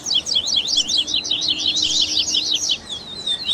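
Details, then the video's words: Double-collared seedeater baderna song, a mix of tui tui, grego, viviti, flauteado and 3ª nota styles used to train captive birds: dense run of fast high buzzy down-slurred and zigzag notes, quite continuous, with faint steady low hum beneath. "ESQUENTE SEU COLEIRO Áudio de Baderna"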